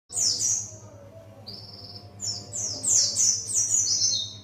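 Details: Buxtoni white-eye learning wild-style "ngalas" song: high, thin whistled phrases sliding downward, several notes in quick succession, with a steady low hum underneath.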